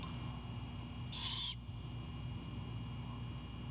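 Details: A single raspy hiss-screech of about half a second from a great horned owlet at its Savannah nest, greeting the returning mother with Anhinga prey late at night on 4/7/22; steady low hum throughout.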